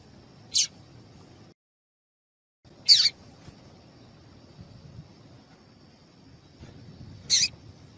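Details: Female papa-capim (yellow-bellied seedeater) calling to stimulate males, used by breeders preparing singing birds for tournaments: three short, sharp, very high chips spaced two to four seconds apart over a quiet, faintly humming background.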